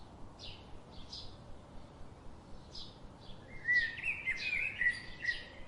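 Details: Several brief high chirps spaced apart, followed by a sustained, fluttering whistled warble over the final two seconds, with steady hiss behind.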